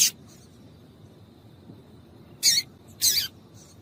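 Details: Female double-collared seedeater call to excite a male: a sharp chip at the start, then after a pause two loud buzzy high bursts about half a second apart.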